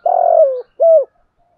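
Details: Lure spotted dove calling in the 'Thổ' voice style: a long, steady, hollow coo that slides down at the end, followed by a shorter, rounded coo, clean and unaccompanied.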